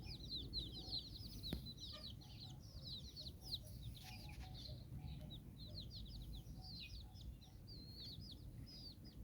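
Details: Mother hen walking with nine chicks in Bizkaia, Basque Country; continuous thin, high peeping from the brood at moderate distance, occasional soft hen clucks and a low background rumble.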